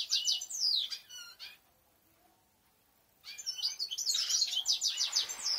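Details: European goldfinches singing: rapid tinkling twitters and buzzy trills at high pitch, broken by a pause of about a second and a half before the chatter resumes more densely.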